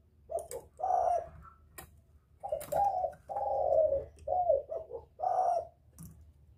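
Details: Spotted dove calling in a male, used to lure wild birds: a near-continuous run of short stuttered coos and longer falling notes, with occasional clicks and a low background hum.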